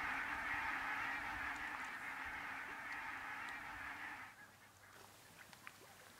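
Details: A huge migrating flock of Arctic barnacle geese halted in central Finland, away from their normal passage. A thick, steady roar of countless yelping honks carries on, then drops away after about four seconds, leaving only sparse single calls.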